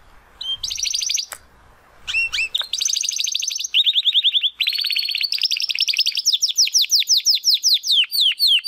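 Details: A young classico-style Spanish Timbrado canary, not yet singing his full song. Scattered chirps lead into sustained metallic trills, then a long repeated series of quick downward-sweeping whistles.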